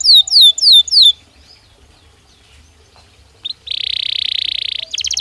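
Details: Belgian canary singing naturally: four loud descending slurred notes, a pause of about two seconds, then a dense buzzy trill and a brief higher rattling phrase.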